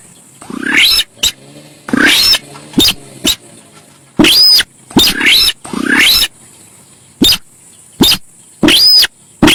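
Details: Javan pied starling, local name sintar sawah, in a lure recording: dense run of harsh scratchy phrases with upward sweeps, several bearing thin arched whistles, interspersed with quick clicks.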